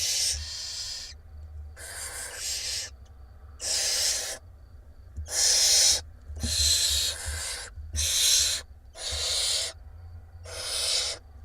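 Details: Six barn owl chicks begging as their mother feeds them in a nest box camera in Israel, 17 April 2021; repeated rasping hiss-screeches, about eight bursts of roughly a second, uneven spacing, faint low thumps.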